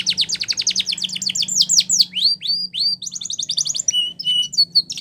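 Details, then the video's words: Training song of a Spanish Timbrado canary, opening with a fast rattling trill of bright notes, then sweeping downslurred whistles and a series of short high chips and clear tones. "Canary's Most Powerful Song For Training"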